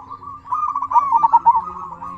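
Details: Local zebra dove cooing to provoke other doves into answering and to raise their breeding drive; a run of rapid, rolling staccato coos near the same mid pitch, swelling louder in the middle, with a faint steady hum beneath.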